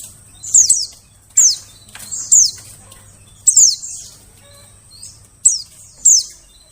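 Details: White-eye calls played to attract birds in the forest: rapid, high, piercing notes tumbling downward in pitch, often in quick pairs, recurring roughly every second over a low steady hum.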